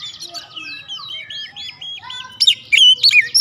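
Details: Oriental magpie-robin lure song meant to make any other magpie-robin answer and sing freely: varied whistled phrases and slurred notes, then louder sharp rising and falling whistles with buzzy bursts in the last second.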